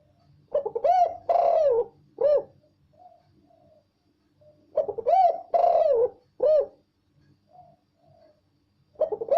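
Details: Spotted dove cooing loudly and clearly, repeating a low, throaty phrase of three hoots (a short note, a long buzzy one, then a falling note) about every four seconds.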